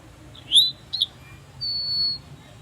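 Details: An Eastern Towhee gives both its 'tow-hee' contact call and its 'drink-your-tea' song: two clear, high opening notes, then a bright, even trill about half a second long.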